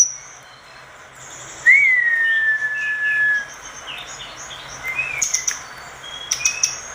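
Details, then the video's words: Orange-spotted bulbul singing vigorously, used as a training song for other birds: a long clear whistle that rises briefly, then slides slowly down and holds, followed by a short rising whistle and high thin chirps. "Tledekan gunung gacor dor masteran segala jenis burung"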